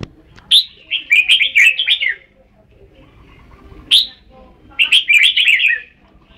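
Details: Red-whiskered bulbul song: a sharp opening note leads into quick, liquid, warbled phrases. The pattern repeats after a pause of about two seconds, and the notes stay bright and clear.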